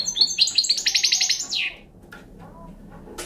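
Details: Young Balkan European goldfinch giving a quick burst of bright, repeated tinkling notes and a fast trill for about a second and a half, then near silence with a faint low hum.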